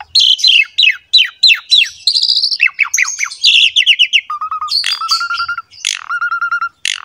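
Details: Pumping 'gacor mompa' song of an Asian pied starling for young birds: a series of sharp downslurred chirps, buzzy rattling phrases, then three level whistled notes with harmonics.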